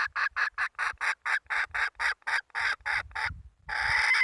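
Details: Hen chicken giving a rapid series of harsh, clipped clucks, about twelve evenly spaced notes in four seconds, ending in a longer, rougher drawn-out squawk.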